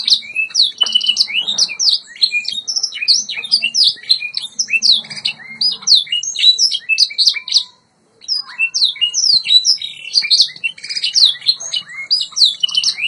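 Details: White Yorkshire canary singing for song training: a long, continuous torrent of rapid, high, sharply slurred chirps and twitters, with one brief silence near eight seconds before the lively song carries on.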